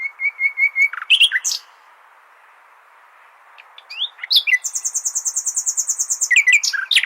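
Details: Common nightingale singing to teach goldfinches: a rapid series of clear whistled notes, then sharp varied chirps, a pause, and a long fast rattle of repeated high notes with buzzy accents at the end.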